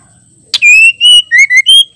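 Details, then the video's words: White-rumped shama female calling to spur males into song. One sharp click, then five loud, clean whistles: a long level note, then shorter notes dipping lower and a final higher note. "Murai batu betina gacor ampuh bikin jantan emosi"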